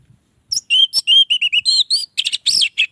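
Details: Orange-headed thrush delivering a lure song for other orange-headed thrushes, a rich, fast jumble of whistles, slurs and buzzy notes packed into about two and a half seconds.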